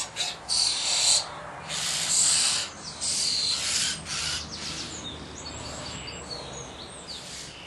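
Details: Begging common starling chicks at feeding time: loud, broad, hissing rasps in long bursts, then a quieter stretch of thinner scratchy calls and faint chirps.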